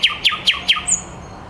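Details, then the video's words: A brief phrase from a thrush nightingale singing in Käpylä, Helsinki, at 21:30: four quick sharp descending chirps, then one thin high whistle. "Käpylän satakieli"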